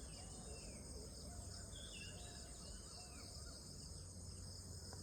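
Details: Small minivet (Pericrocotus cinnamomeus) giving thin, high, slurred whistles, several soft notes within a few seconds, over a steady shrill insect drone and low background rumble.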